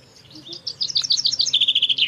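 A Common Chaffinch sings a quick, bright phrase of tumbling notes that speed up and settle into a run of evenly repeated chips, about two seconds long.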